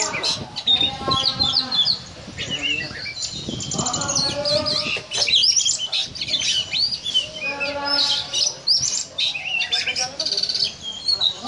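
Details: ['Captive oriental magpie-robin (kacer) in the ngobra style, said to sound like a cobra: dense, high twittering and sharp whistled phrases that run continuously, with lower harmonic tones and human voices underneath.']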